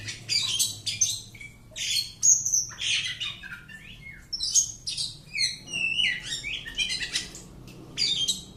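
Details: Home-kept Oriental magpie-robin in continuous varied song: quick runs of sharp whistles, buzzy trills and slurred notes, phrases tumbling one after another with brief gaps, over a faint indoor hum.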